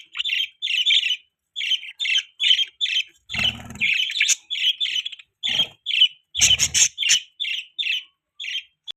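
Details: Pet budgerigars chirping in short harsh bursts, mostly paired squawky notes with short gaps, broken by a few louder noisy bursts with low rumble and one sharp click.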